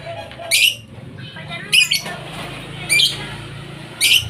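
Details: Blue ice lovebird producing four harsh, squeaky chirps spaced about a second apart, each a short burst, with a low steady hum underneath.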